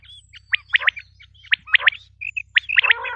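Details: Common quail from a recording made for luring quail when hunting: loud sharp chirps in twos and threes with brief whistled notes, over a steady low hum, ending in a harsh burst.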